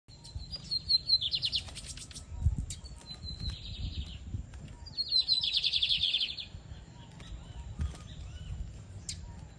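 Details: Captive Lined Seedeater from a Brazilian breeder, 2023 season, singing high buzzy trilled phrases with quick whistled notes, three main bursts a few seconds apart, over steady low rumbling background noise.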